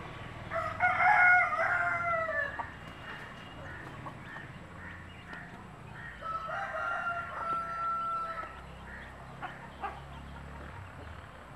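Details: Native country chickens, a mother hen calling chicks to food; two long, ringing crow-like calls a few seconds apart, with scattered clucks and clicks between them.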